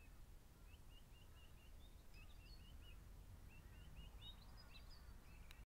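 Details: A juvenile Grey Fantail, 10 October 2012, gives strings of brief squeaky chirps, evenly spaced, in two runs separated by a short pause, with a few higher notes mixed in, against a steady low rural hiss.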